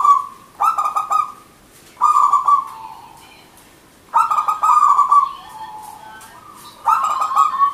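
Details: Zebra dove singing strongly: repeated phrases of quick, stacked cooing notes, each sliding into a lingering lower tone, about four phrases in eight seconds against a clean background.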